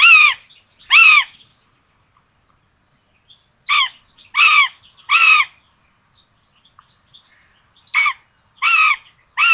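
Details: Nest of common buzzards in Tiszalök, Hungary, on 26/06/2022, two chicks with a rabbit breakfast; repeated loud, rich harmonic calls in pairs and triplets separated by silent gaps.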